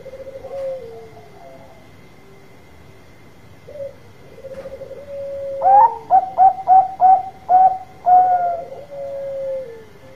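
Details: Zebra dove of the Bangkok type, singing loudly to lure others into replying: soft, even purring rolls at first, then a loud run of about eight crisp, evenly spaced coos that fade into a falling trill.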